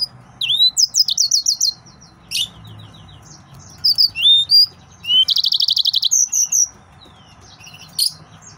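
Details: Excited male yellow-fronted canary in full, varied song: quick series of high chirps, rising whistled slurs, and a dense buzzy trill of rapidly repeated notes, ending with a lone sharp chirp.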